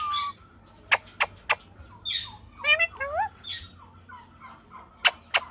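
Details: Pet talking parrot imitating speech: a rapid run of varied, sliding, voice-like notes and short harsh squawks, opened by a raspy burst and closed by two sharp clicks, with a low steady hum underneath.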